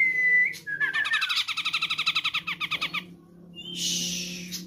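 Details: Sumatran grey-cheeked bulbul (cucak jenggot) used as a tutor and trigger recording: a steady whistled note, then a fast rattling, chattering trill of about twenty pulses, and a hissy burst, with a low hum throughout.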